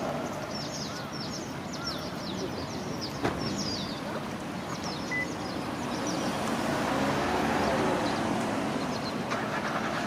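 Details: In late autumn or winter, a flock of white wagtails, male and female, arrives to roost in an evergreen oak at the edge of a commercial parking area, giving many brief, high, sharp chirps in quick bursts over a low traffic rumble.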